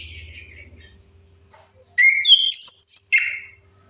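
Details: Orange-headed thrush song used as a lure to get silent birds singing: a faint descending note, then after a pause a loud phrase of clear whistled notes stepping up and down in pitch, lasting about a second and a half.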